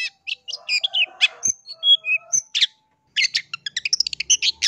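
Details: Long-tailed shrike in full song, used as a lure to provoke other shrikes into answering: a varied medley of sharp chirps, short pure whistles and squeaky notes, a brief pause, then a fast burst of clipped, clicking notes.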